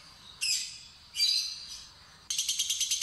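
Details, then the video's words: Lovebird, a young and still timid fighter-type bird, being lured to sing a long chattering trill: three bursts of high, harsh buzzy chatter, the last breaking into rapid pulsed notes about ten per second. "Pancingan Lovebird Fighter Ngetik Ngekek Terpanjang"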